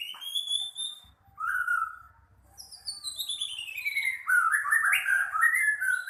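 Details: White-rumped shama (murai batu) singing actively. Long pure whistled notes, some held steady, others sliding; later a rising series of notes leads into a loud, fuller warbling phrase.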